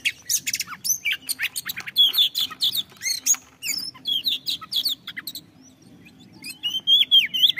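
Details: Oriental magpie-robin (kacer) song intended to stimulate singing in other birds: vigorous stream of staccato chirps, upward-sweeping whistles and buzzy trills, a short quiet gap, then renewed rising whistled notes.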